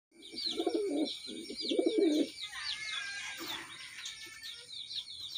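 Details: A pair of pahadi (hill) pigeons cooing: low, throaty, rolling coos for about two seconds, followed by steady, high, rapid chirping from small birds in the background.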